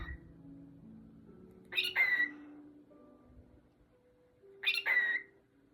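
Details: Cockatiel singing to a towel gives two bright whistled bursts with a sliding note, a few seconds apart.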